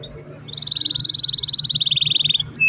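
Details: Canary delivering a long roll, meant to lure other canaries into song: a steady, even trill of rapidly pulsed notes lasting about two seconds, slowly drifting lower, above a low hum.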